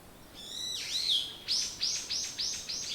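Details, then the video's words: A morning songbird gives a thin, wavering whistle that dips and rises, then a string of five crisp, evenly spaced descending chirps, each about a third of a second apart. "目覚めに最適 鳥のさえずり"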